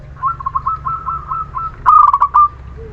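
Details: Zebra dove of the local Muria strain, a lure for birds that are reluctant to sing: a soft, trilling run of coos, then a louder bubbling phrase of rapid notes, with a steady low hum underneath.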